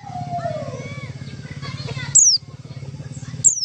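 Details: White-eye lure call for trapping: two loud, high, falling whistled notes, after lower sliding calls and a pulsing low hum that continues throughout.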